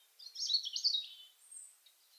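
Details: A European Robin sings in deep winter, defending its territory; winter song is more hesitant and quieter than in spring: a brief thin phrase of high fine notes tumbling downward tremulously like a descending brook, then one faint very high note.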